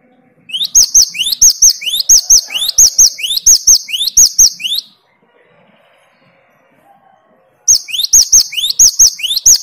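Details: Great tit (Parus major), a reluctant singer answering a lure of another great tit's loud song: high, ringing two-note phrases repeated rapidly, about seven in a burst, a three-second pause, then the phrases start again.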